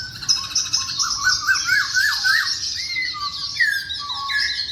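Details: Masked laughingthrush song used to stir quiet birds into singing: a dense run of rapid whistled and chattering notes, rising and falling slurs between mid and high pitch, fast and irregular, with a faint low hum beneath.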